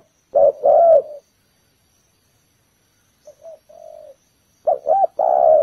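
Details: Spotted dove used as a lure to draw birds to a ground trap, giving low hooting coos in two short bursts separated by a quiet gap and softer coos between.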